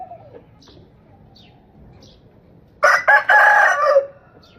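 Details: A single loud rooster crow about a second and a half long: choppy opening syllables, then a sustained hoarse note that drops at the end. Faint short chirps from small birds are heard before it.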